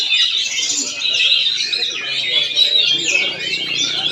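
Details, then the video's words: Caged Oriental magpie-robin singing in Palangkaraya, Central Kalimantan: a loud, unbroken medley of bright whistles, fast trills and scratchy twitters. "PENAMPILAN APIK KACER"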